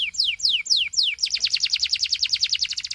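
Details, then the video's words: Belgian canary singing to spur other canaries: four loud sliding whistles falling in pitch, then a quick, regular rolling trill of short notes. "Doesn't Your Canary Sing? Put This On, HE Will Sing a Lot‼️ Belgian Canary"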